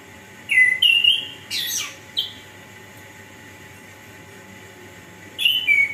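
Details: Lively orange-headed thrush song meant to prompt reluctant birds into singing: a quick burst of sharp whistled notes and rasping chips in the first two seconds, a long pause, then another bright whistled phrase at the end.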